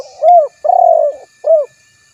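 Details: Low, soft coos from a spotted dove: one rounded note, a drawn-out vibrating coo, then a short rounded note to close the three-part phrase. The background is otherwise quiet.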